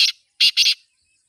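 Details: Brief call phrase from a kept black francolin: one short harsh note, a pause, then two rough grating notes close together.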